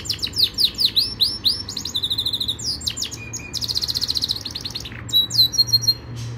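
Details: Yorkshire canary delivering a varied training song: swooping whistled sweeps, rapid buzzy trills, a short low steady note, a long fast rattle, then sharp chirps and a final sweep. All notes are bright and high over quiet background noise.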